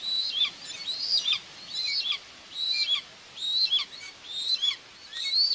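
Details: Nest of common buzzards in Tiszalök, Hungary, June 2, 2024, with the female feeding two chicks; piercing, high whistles with a downward twist come in clustered pairs and triplets, separated by short pauses.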